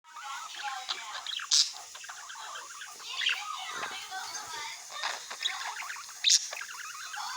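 A budgerigar chatters in a fast, scratchy warble mixed with speech-like mimicry and sharp squeaks.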